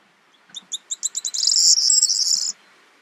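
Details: In the Crau, France, in May 2018, a corn bunting sings a high, dry song: a few ticking notes speeding up into a jangling, glassy trill like shaken keys lasting about a second; Corn bunting.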